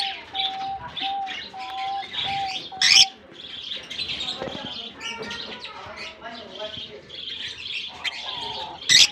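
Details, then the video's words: Lovebirds in a colony in Germany, just released for the summer season; continuous busy chatter of high, shrill chirps from many birds, two loud sharp squeaks, low steady tones in the background. "Japan lovebirds release in colony season off come to summer 🌞 off season bird good chirping sound"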